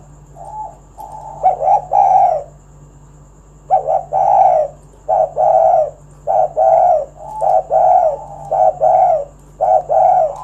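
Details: A spotted dove used as a call recording to lure other doves into singing coos in soft, hoarse, mid-pitched phrases, with short bursts about once a second, over a steady low hum and faint high whine.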